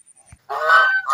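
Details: Goose playing in water gives a single loud, harsh honk lasting about half a second after a short quiet moment with a faint low thump.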